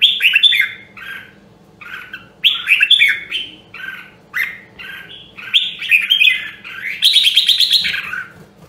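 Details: Red-whiskered bulbul of the Nam Đông Huế voice, a rare line kept for voice training: bright, slurred whistled phrases between 1.5 and 4k, warbling in quick bursts, ending in a dense buzzy rattling phrase near 7 seconds.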